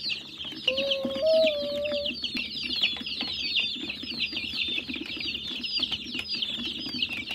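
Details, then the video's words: A little group of very hungry chickens: steady high-pitched peeping and chirping from several birds, with one level, drawn-out tone lasting about a second and a half early on. "HANGRY CHICKENS"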